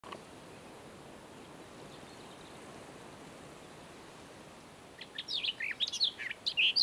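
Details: Barred warbler singing in open country with bushy edges in southern Moldova: after five seconds of quiet background hiss, a burst of scratchy, chattering, high-pitched warbling notes runs quickly and unevenly to the end.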